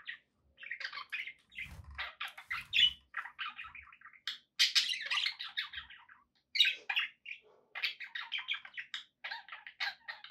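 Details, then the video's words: Caged pet budgerigars keep up a busy, scratchy warbling chatter with squawks and chirps, broken by brief pauses and a few soft knocks. "budgie sounds"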